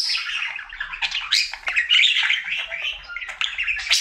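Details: Cheerful singing budgie, a male house pet, in his usual daily song: unbroken rapid warble of squeaky, grating notes and short chirps, varying constantly in pitch.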